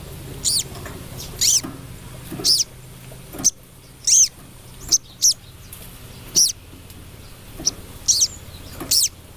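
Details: Female crested jay calling out to the male: a run of piercing, downward-bending chips and short rasping notes, roughly one per second, over faint low hum.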